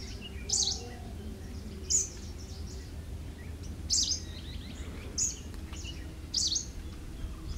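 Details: A Greater racket-tailed drongo at End Point, Manipal, gives five sharp, high metallic notes spaced about one to two seconds apart, over a steady low rumble of background noise.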